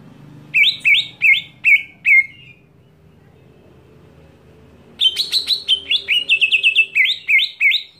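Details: Greater green leafbird scream meant to rile other leafbirds. Five loud, ringing, downslurred notes, then about two and a half seconds of near silence, then a hurried burst of roughly fourteen piercing notes.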